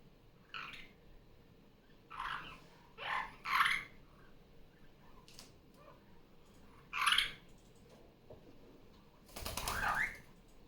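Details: Female superb parrot kept as a pet, noisy during Sunday morning play after leaving her nest: irregular harsh squawks and chattering notes, with scattered clicks and a broad rasping burst near the end.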